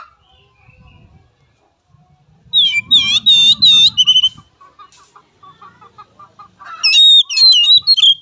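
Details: Oriental magpie-robin lure song for training young, untrained birds. After a quiet start with a low murmur, bursts of loud, ringing whistles are repeated in quick pulses, then soft ticking notes, then a final run of twisting whistled phrases.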